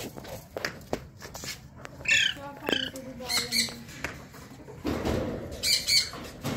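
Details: Sun conures about 22 months old give short, harsh, shrill squawks in scattered bursts over a few seconds, with human voices and household noise in the background.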